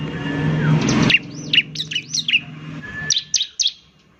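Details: Bar-winged prinia 'semi' song, said to set other prinias singing: a string of sharp, high, clipped notes, a short pause, then three more, with a passing car rumbling early on.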